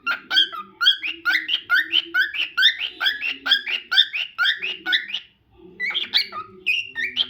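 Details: Steady, fast string of repeated whistled chirps from a cockatiel, roughly two per second, dropping away briefly before a looser final burst; faint low hum behind.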